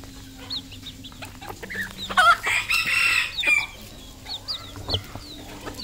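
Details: Red junglefowl decoy bird crowing with a loud, coarse, drawn-out phrase near the middle. Scattered short clucks come before and after it, over a faint low hum.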